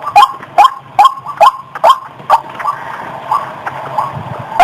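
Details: White-breasted waterhen (ruak-ruak) lure call, used to draw birds out of bushes toward the sound: sharp, rising notes about two per second, fading into softer, less regular notes with a low hum underneath.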